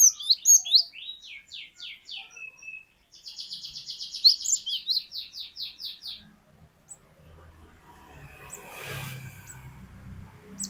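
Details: Glatik batu, the cinereous tit, in energetic gacor song: quick high chirps and downslurred whistles, then a long rapid buzzy trill of repeated notes; afterwards only low rumbling noise and a soft broad rushing sound.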